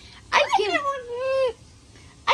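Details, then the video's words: Amazon parrot kept as a pet, protesting an upcoming bath with a crying sound: a harsh burst, then one long sliding wail falling and leveling off, a pause, and a final brief harsh note. "Loro llorando porque no quiere bañarse"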